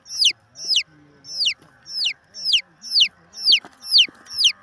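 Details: Peeps from a chick, each a shrill whistle dropping steeply in pitch, given in a regular series of about nine, with faint low murmurs behind.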